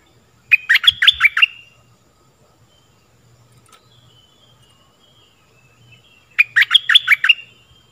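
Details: Stripe-throated bulbul decoy song for teaching young birds and luring wild birds: two bursts of rapid, bubbling, liquid notes about six seconds apart, separated by near silence with a soft low hum.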